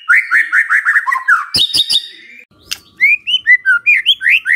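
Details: White-rumped shama song serving as a lure so other shamas answer: a series of repeated slurred notes, a few sharp clicks, then bouncy upslurred whistles repeated roughly three times a second.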